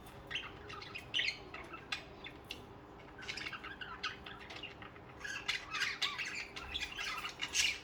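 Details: Budgerigars, social pet birds, chirping in clicking bursts, quieter in the middle, then a dense run of scratchy chatter toward the end.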